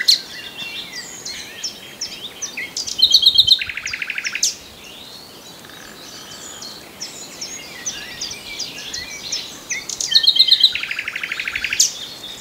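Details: Common nightingale: twice, a phrase of clicking notes leads into a low, rapid buzzy rattle, with long quieter stretches of distant mixed birdsong between the two phrases.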